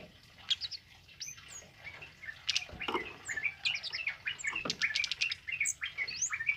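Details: A tame male kemade sings energetically, recorded for tutoring: a brief opening of a few notes, then a fast, rising flurry of high chirps, whistles and chattering notes, repeated more than twice a second.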